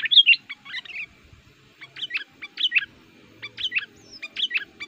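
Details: Agitated sooty-headed bulbul decoy used to lure wild males, singing actively; short sets of sharp, warbled chirps repeated roughly every second over a faint low hum.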